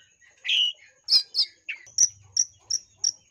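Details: Lure song of a Long-tailed shrike: a drawn-out scratchy note, then two harsh chirps and a series of clipped high whistles roughly every third of a second, with faint low hum.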